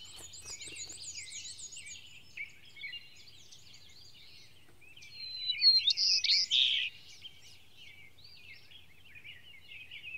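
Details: A white-crowned sparrow sings on its way north in Maine, 2013: high, sweet whistles and buzzy, warbling notes, with a louder burst of phrases midway over a faint low hum.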